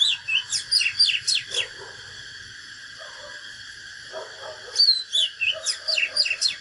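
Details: An Oriental magpie-robin, a natural bird, in fighting song delivers fast phrases of bright whistles and slurred sweeps, pausing for three seconds before a second burst. Faint lower chirps and a steady hum sit beneath.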